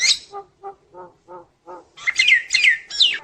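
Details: Provocative song of a Nias myna used to rile other mynas: five low, evenly spaced nasal hoots, then loud, harsh squealing notes with descending tones.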